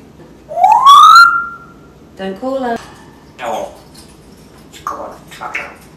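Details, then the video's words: Captive African grey parrot indoors, producing imitated sound effects: a long rising whistled note that levels off, followed by short speech-like chattering syllables and squeaks. "20 Minutes of African Grey Sound Effects"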